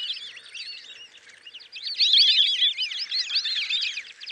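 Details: Chorus of white-faced whistling ducks in Kruger National Park: a continuous, dense tangle of high, sliding whistles from many birds, growing louder partway through.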